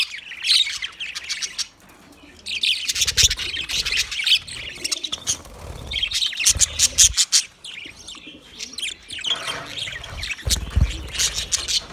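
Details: Budgerigars chirping: dense, scratchy warbling chatter in bursts, with rapid clicks and short squawky notes overlapping, pausing briefly near two and eight seconds, with occasional low thumps.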